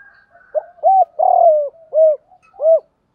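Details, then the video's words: Spotted dove cooing to stimulate males in training; a short phrase of arched coos with a longer buzzy middle note, ending in two rounded coos, a faint high tone at the start. "Tiếng Cu Gáy Giọng Hạp BổI [ GÁY GỌI,KÍCH BỔI HIỆU QUẢ ] tiếng cu gáy tập bổi, cu cườm gáy"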